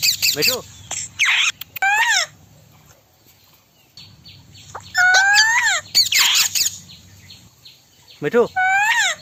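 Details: Indian ringneck parrot alternating harsh, descending squawks with tonal, speech-like phrases that rise then fall, in several bursts separated by quiet gaps over about nine seconds, against a low background hum.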